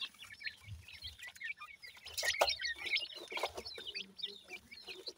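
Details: Many francolin chicks cheeping at once, bright high chirps clustered densely, with occasional soft low thumps in the background.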